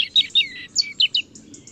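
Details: A European robin sings a brisk sequence of clear, liquid notes, each sliding downward, spaced about every fifth of a second, ending in soft, very high faint notes.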